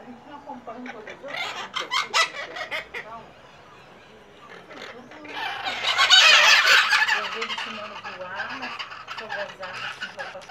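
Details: A flock of Pionus parrots (maitacas) makes a racket at a house in Santa Maria Madalena, Rio de Janeiro, on 26 January 2014, with harsh, screechy calls in quick bursts swelling into a loud raucous chorus midway; a person calls at times.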